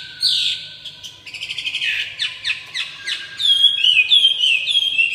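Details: Red-whiskered bulbul in fanning display: a loud slurred whistle opens, followed by a fast train of short chirps, then bright, clear, repeated whistled phrases that bend downward at the end.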